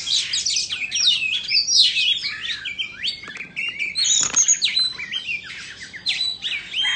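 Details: Dancing and fanning its tail, an Indonesian Oriental magpie-robin gives a dense, high song of quick whistled swoops, sharp clicks and repeated looping notes.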